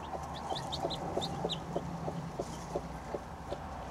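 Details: Broody hen sitting on fertile eggs and hatching chicks: low, short clucks repeated steadily about three times a second, with thin high peeps from the newly hatching chicks above them.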